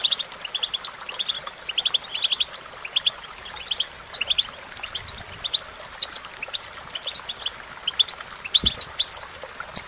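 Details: European goldfinch song for training a goldfinch to sing: dense, continuous twittering of quick high chirps and short trills, with a faint watery hiss behind.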